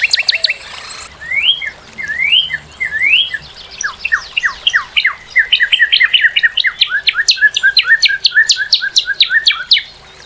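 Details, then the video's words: Northern cardinal delivering varied phrases: a few looping slurred whistles, then long series of quick down-slurred notes that speed into a dense, chattering run. "Cardinal:Découvrir le chant et la beauté du Cardinal du Nord"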